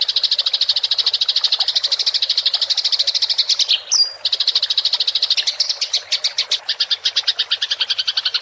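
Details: Fighting house sparrow in a rolling chatter meant for training songbirds: a dense, fast train of sharp high chirps, with a short whistled slur midway before the chirps resume, slightly looser.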